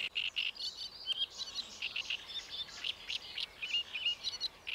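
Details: Great reed warbler, Paxton Pits Nature Reserve, 28 May 2016, delivering an unbroken stream of grating, chattering notes in fast succession, with some higher squeaky elements woven through the harsh phrases.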